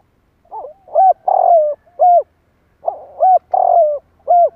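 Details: Spotted dove calling to excite wild doves: two phrases, each a rough opening note, a clear coo, a drawn-out burry coo falling at the end and a final short coo, about two seconds apart.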